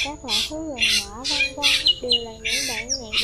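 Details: Flock-gathering call of the black drongo, used as a trapping lure for migrants in 2023: wavering whistled notes that dip and rise, broken by loud raspy squawks about twice a second.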